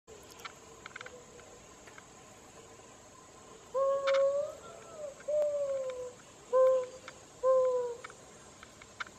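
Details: A mourning dove under a rain tree gives soft, low, hollow coos: a drawn-out note that swells upward, then three shorter mournful hoots over about four seconds, with a faint steady hiss behind.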